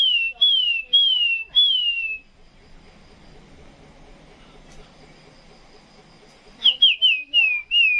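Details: Caged Chinese hwamei singing at 2 a.m., about to be sent to Vũng Tàu: loud clear whistled notes sliding downward, about four in a row, then a quiet stretch of faint background noise before another quick burst of whistles.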